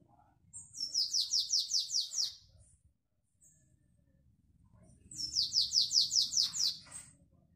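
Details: Canary in classic Belgian song style, recorded 2021. Two bursts of about eight quick, even, downward-sweeping notes are separated by a short silent pause, each phrase rising in loudness. Low background hum.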